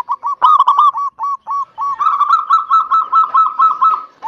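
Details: Local zebra dove's cooing meant to stir quiet doves into singing: short clipped coos at first, then a long steady run of rolling warbled notes and a final coo.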